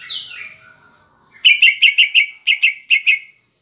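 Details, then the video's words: Greater green leafbird lure song with kapas tembak filler, aimed at making a pet bird sing: a falling whistled phrase, then about ten loud buzzy clipped notes in quick groups of two and three. "Pancingan Cucak Ijo (Isian Kapas Tembak) Agar Emosi Jamtrok"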